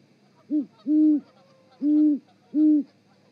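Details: Mating duet of great horned owls at the Charlo osprey nest, Montana, 7 February 2018, from a live nest camera: four low, steady hoots, one brief and three longer, with near-silent gaps between them.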